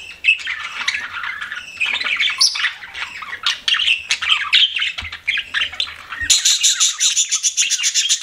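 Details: Pet budgies chirp and warble in scratchy, squeaky runs; a soft low hum comes in briefly, then the last seconds turn into a rapid string of sharp, evenly spaced chirps.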